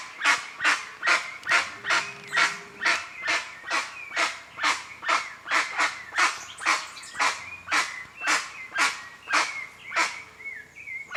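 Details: Wild guan (jacu) giving a long, steady series of harsh, barking yelps, roughly two per second. A faint high whistling bird and a low hum sound in the background.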